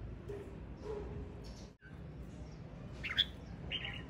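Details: Singing male red-whiskered bulbul gives a quick pair of clear, fluty whistled notes near the end, after a quiet stretch filled with low rumbling noise.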